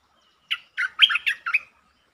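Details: A single short phrase from a streak-eared bulbul, recorded 13 February 2023: five quick, bubbly, chortled notes in just over a second, in a quiet setting.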